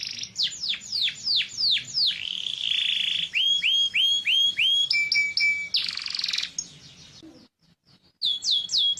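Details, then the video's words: Yellow canary in full song, mixing fast descending whistles, a rolling buzzy trill, a steady pure tone and a harsh rattle, then a short silence before more sliding notes. "cannary bird yellow"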